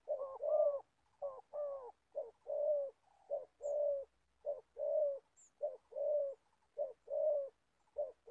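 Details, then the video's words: Trapping decoy Spotted Dove, an aged bird in Gia Lai, Vietnam, calling with a strong voice. A long run of low, rounded coo pairs repeats roughly every second, with two faint high chirps in the background. "Bẩy cu gáy. Clip 65.. mồi già bắt bổi thổ tốt tiếng"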